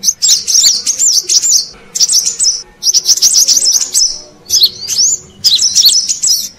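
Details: Brown-throated sunbird lure sound for attracting wild birds: several separate bursts of high, quick, looping squeaky notes, each lasting about a second, with short quiet gaps between them.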